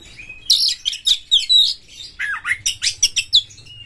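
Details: White-rumped shama, a champion singer with tail spread, used to stir rival shamas: dense high twittering and harsh chattering phrases, with a few lower sliding whistles, in quick succession.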